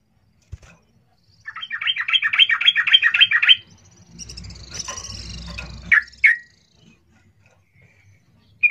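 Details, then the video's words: Chattering lure call of a sooty-headed bulbul, meant to draw a quick reply: a rapid, bubbly run of repeated notes for two seconds, then a scratchy noisy stretch and two sharp chirps. "Cuk cuk suara panggilan trucukan gacor ini ampuh untuk pancingan trucukan agar Bunyi cepat respon"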